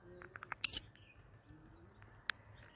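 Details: A pet green-cheeked conure (yellow-sided and cinnamon colour forms) gives one short, harsh, high screech, preceded by a few soft ticks and followed by a single sharp click in an otherwise quiet room.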